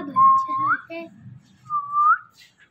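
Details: Pet Indian ringneck parrot imitating speech: two level whistles, each ending in a small upward flick, separated by a soft murmured syllable.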